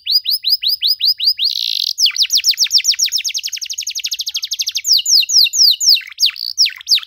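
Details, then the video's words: Canary delivering a long, ornate training song for young canaries: repeated downward whistles, a short buzzy rattle, a long accelerating trill of clipped notes, then swooping whistled phrases. "KENARI GACOR DORR NEMBAK PANJANG, CENGKOK MEWAH COCOK BUAT KENARI MUDA BELAJAR BUNYI"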